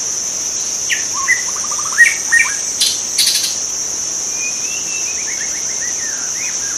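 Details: White-rumped shama in the wild, giving a quick run of short whistled notes climbing in a stepped series, a pause, then a longer falling chain of sweet whistles, backed by a constant high-pitched insect buzz.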